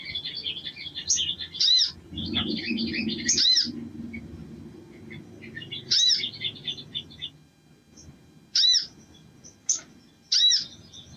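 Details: Vigorous spiderhunter song meant to provoke other birds into display: a stretch of dense high twittering, then loud arched chirp notes set off singly or in pairs with pauses, over a faint low background hum.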